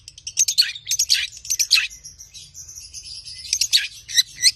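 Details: Long-tailed shrike, tame captive songbird singing rich mimicked phrases used to prompt other birds: dense continuous high chattering with repeated sharp downslurred squeaks.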